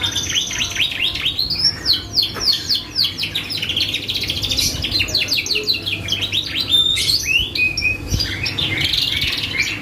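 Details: Canary singing energetically as a lure to provoke other birds into answering: rapid trills of fast repeated high sweeps, rolling chatter and bright whistles, over a loud steady low hum.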